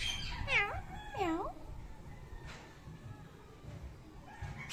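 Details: A pet Indian ringneck parakeet speaks in a high, nasal voice: two quick swooping phrases like "thank you", then softer faint notes over a low room hum.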